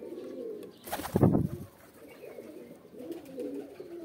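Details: Soft, low pigeon coos are interrupted early by a loud thump or flutter, and the murmuring cooing then resumes.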